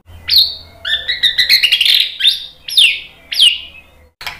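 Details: White-rumped shama song used as a lure to provoke other birds into singing: loud, clear whistled notes sweeping sharply downward, interspersed with a rapid run of stacked chirps, phrases separated by short pauses.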